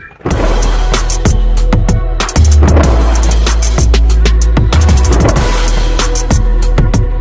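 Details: Loud drum and bass music with heavy bass and sharp percussion hits throughout.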